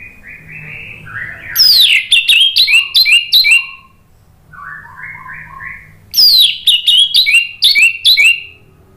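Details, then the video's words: Orange-headed thrush lure song to encourage singing: soft, low warbled phrases lead into loud bursts of sharp, high whistled notes and quick trills, the pattern repeating twice with a quieter gap between. "PANCINGAN ANIS MERAH NGEPLONG merangsang BUNYI jadi NYAUT GACOR NGEPLONG"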